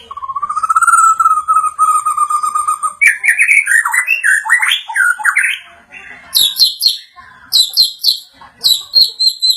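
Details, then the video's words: White-rumped shama growing agitated after hearing a played sound: a long sustained whistle, then a tumbling rush of varied warbled notes, ending in repeated sharp high clicking bursts. "MURAI BATU MAKIN EMOSI SETELAH MENDENGAR SUARA INI"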